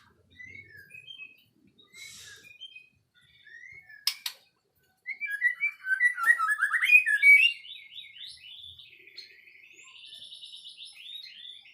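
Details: White-rumped shama song, scattered soft whistled notes building into a loud rapid rich warble with rising and falling phrases, then a long trilled sequence fading out; a sharp click midway.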